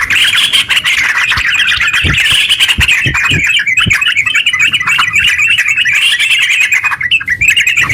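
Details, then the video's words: Long 'ngeropel' song from a caged yellow-vented bulbul, played to make other bulbuls sing; a dense, continuous chatter of quick twittering notes for eight seconds, with some soft low thuds early on. "TERUCk gacor ropel panjang buat pancingan terucu biar bunyi"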